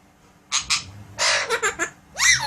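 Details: Pet Alexandrine parakeet indoors doing talking and sound effects: brief harsh squawks, a broad noisy chatter with stuttered syllables, then an arched harmonic squawk closing the burst.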